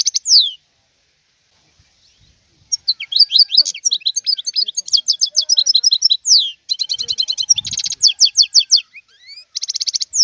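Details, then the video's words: Wild European goldfinch singing after a quiet start: long flowing sequence of fast twittering trills, down-slurred whistles and a brief harsh buzz, with sparse faint low sounds. "اسمع بأذنيك تغريد هذا الحسون البري. افضل غناء خلوي"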